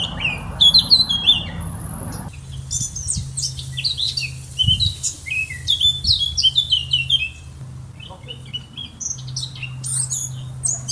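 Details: Eurasian blackcap (Sylvia atricapilla) singing: a rich, fast warble of varied fluty and twittering notes, bursts sometimes run together, over a steady low hum in the background.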